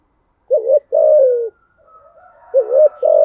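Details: Two quick phrases of spotted dove cooing in the thúc gù manner: a short hooting note, then a longer smooth coo that falls away, repeated after a brief pause.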